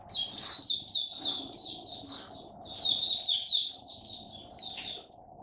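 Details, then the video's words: Caged Oriental white-eye singing the 'buka' opening style: continuous high chirpy trills in two long runs, ending with a sharp upward note, over a low steady hum. "Mata Puteh Buka Sing"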